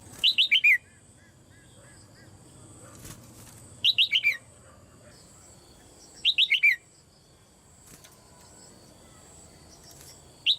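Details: Caged female red-whiskered bulbul whose calling is meant to stimulate other birds to sing loudly. Quick phrases of four to five stepped, downslurred whistles recur four times, roughly every three seconds.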